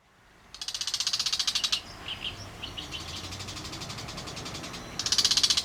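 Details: Bull-headed shrike calling loudly with a harsh grating gichi-gichi chatter, a rapid rattle of about a dozen pulses lasting over a second. Soft scattered chirps follow, then a second rattle starts at the end.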